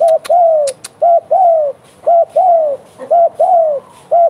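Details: Bekur-style cooing from a vigorous spotted dove (derkuku gacor): four rhythmic pairs, short bent note then longer falling one, evenly spaced, with a few sharp clicks at the start.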